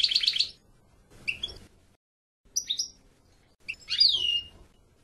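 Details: European goldfinch giving short bursts: an opening buzzy trill, then scattered clipped chirps, and a final sweeping down-slurred twitter, with pauses between notes and faint low background noise.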